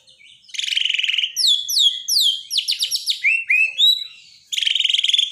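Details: Borneo white-rumped shama, used as daily master training for shamas that have stopped singing: a rich, varied high song of buzzy trills, rapid descending whistled slurs and quick stuttered notes, ending with another dense trill after a brief pause.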